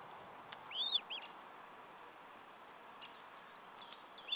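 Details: An Osprey at its nest in Estonia on 14 July 2012, during a meal. A quick cluster of high, thin whistled chirps, then a few fainter single notes, over a steady rushing hiss.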